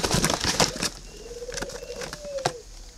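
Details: Spotted dove, red-billed and yellow-legged, kept caged in Ba Vì, northern Vietnam; after a burst of noisy rustling, two low smooth coos follow, the second shorter, with sharp taps between.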